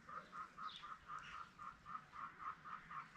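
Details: Spalding emerald peafowl on a peacock farm: a steady, rhythmic run of short nasal honks, about four each second, with a few thin higher notes from other birds.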